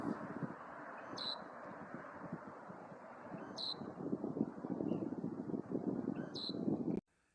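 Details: Loggerhead Shrike, a male claiming territory at a rest stop on a May drive through Nebraska, Colorado, Utah or Nevada, giving short, sharp high notes spaced two to three seconds apart over strong wind and passing traffic.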